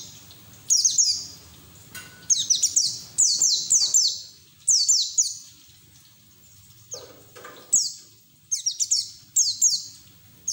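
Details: Pleci white-eye in loud twittering song, training audio for other white-eyes; irregular bursts of very high, downward-sweeping notes separated by quieter gaps of one to two seconds, faint background hiss.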